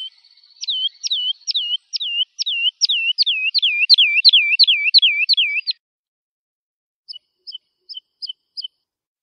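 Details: Lark singing for teaching young birds: a rapid, accelerating string of hooked notes, each a sharp upstroke into a lower dipping whistle, then silence and a few faint spaced notes at the end.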